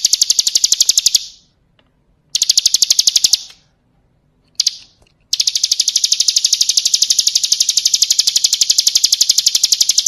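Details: Bar-winged prinia (ciblek kristal) song used to train other songbirds. It comes as high, metallic, machine-gun trills in bursts of one to two seconds with silent gaps, then a long steady trill lasting five seconds.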